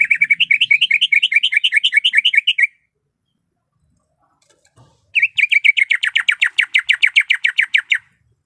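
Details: Calling female greater green leafbird in heat, summoning the male with a fast run of rolling, wavering notes, a pause of about two seconds, then another quick series of sharp descending notes.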